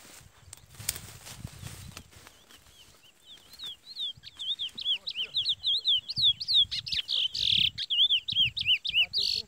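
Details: Male chestnut-bellied seed finch (curió) facing a brown 'pardo' rival. Men talk and handling noise come first, then a fast run of bright, rising whistled notes builds steadily louder and continues to the end.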